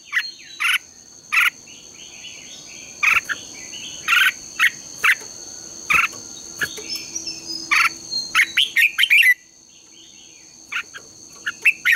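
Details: Red-whiskered bulbul contest singing for morning training: regular short chirped bursts roughly every half second to second over a hissy, insect-like background and a steady high tone.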